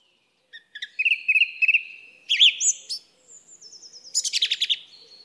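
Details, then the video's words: Song thrush singing: a run of clear whistled notes repeated three and four times in quick succession, then a rising flourish and a high thin note ending in a fast chattering phrase. No other sounds. "Song Thrush Bird Sound"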